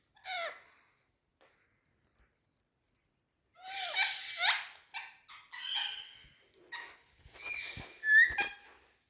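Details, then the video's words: Green parrot in India giving a short squawk, a pause, then a stretch of scratchy squeaks, clicks and chattering notes ending in a bright rising whistle. "Talking Parrots"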